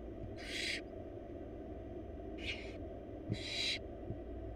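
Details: Wild barn owl chicks, four young in a monitored nest box, as the mother feeds them a large rabbit; three harsh, broadband hissing bursts, each about a third of a second, spaced irregularly over low background rumble.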